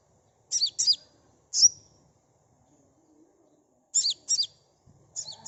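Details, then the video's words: Lure recording of a sunbird: sparse, crisp, very high chirps in separated pairs and singles with silent gaps between, against a quiet background. "Suara asli kolibri pancing bahan cepat respon ngeplong"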